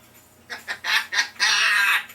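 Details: A three-year-old African grey parrot, kept as a pet, gives a short run of harsh, rising syllables ending in a longer grating squawk.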